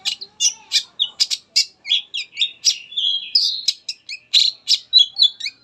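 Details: Varied song of a long-tailed shrike, used to prompt other shrikes to sing: a brisk, continuous chatter of short chips, buzzy notes and brief whistles, about four notes a second, bright and high.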